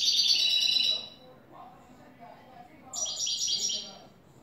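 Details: Bright rapid twitter from a new European goldfinch singing clean song of the "el tres vueltas" type; a one-second high jingling phrase, a pause, then a second run of quick metallic notes.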